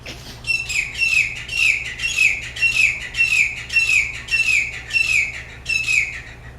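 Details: Tropical bird calling in the early morning on Maui, right outside a bedroom window: a bright, buzzy, slightly falling note repeated steadily about every half second, some nine times, with a faint hum behind.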